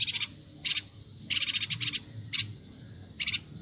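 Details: Bornean yuhina chattering for songbird tutoring; short high rattles and stuttering bursts of rapid notes, some lasting under a quarter second, others longer and pulsing.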